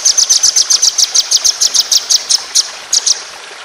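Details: White-rumped shama, kept for song contests, delivering a speedy 'tembakan' roll. Rapid, even, high-pitched chips repeat roughly five per second for three seconds, ending in a short pair after a brief gap.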